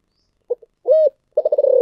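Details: Thổ sấm-voiced spotted dove: two brief low notes, a smooth hollow coo, then a throaty, rapidly pulsing rolled coo.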